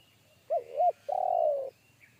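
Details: Wild spotted dove heard in forest, calling with a deep, big bass one-kuk voice. Two short curved coos, a pause, then a long, steady, rattling low note; a faint thin whine runs throughout.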